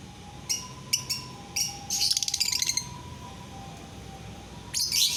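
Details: Lovebird song to encourage other lovebirds to sing: several crisp high chirps, a burst of fast rattling chatter, then a final harsh screech, over a steady thin background tone.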